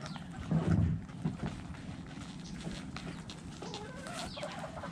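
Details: Backyard hens and roosters eating in a coop; a loud low thump comes early, then soft, short harmonic clucks sound in the second half over a steady low background hum.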